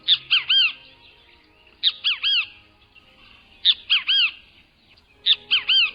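A Great Kiskadee gives its loud, harsh three-note "kis-ka-dee" call, the notes arching and buzzy, repeated about every two seconds with nothing else heard.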